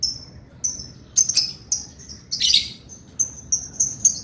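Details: Male lovebird singing keenly: a rapid series of thin, very high chirps and short squeaky notes, some in quick doubled pairs, with a louder harsh burst midway.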